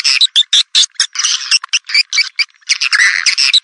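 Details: Swiftlet call meant to attract the birds: short, buzzy chirps in choppy bursts, some sharply separated, others run together into rattling twitters, ending in a longer dense burst.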